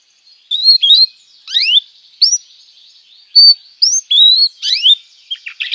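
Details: Canary song for tutoring young canaries: separate short rising and falling whistled chirps with brief gaps, some paired, finishing in a scatter of quick twittering notes.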